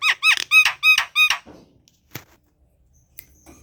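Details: Javan pied starling kept at home, giving a quick run of five loud, ringing, harmonic squeaks before falling quiet, with a few soft knocks afterward.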